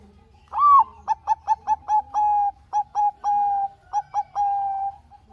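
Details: Bangkok-type zebra dove singing vigorously, used as a lure to stir other doves: a rising opening note, then a run of short clipped coos and long level notes, with drawn-out notes in the second half.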